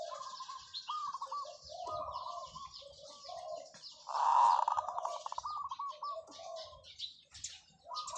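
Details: Zebra dove decoy bird giving long drawn-out cooing calls: rolling, trilled coos in repeated phrases, one loud burst near the middle, with faint high chirps of other birds behind.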